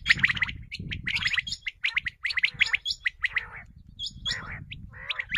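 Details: Common quail, recorded as a hunting lure call, gives a dense run of sharp, liquid high chirps and gurgling notes, several per second, over a low rumbling background.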